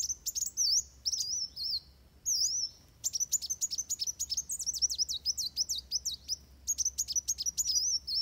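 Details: Van Hasselt's sunbird in fighting mode pours out a fast, high, thin twitter of sharp chirps and zipping notes, quickening into an almost unbroken excited stream.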